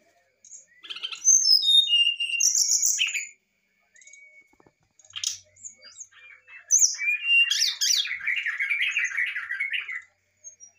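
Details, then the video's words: Brown-chested jungle flycatcher in excited song, used to provoke a response: a cascade of whistles stepping down the scale, a pause, then a long scratchy warbling chatter near the end. "sikatan rimba dada coklat muntah emosi"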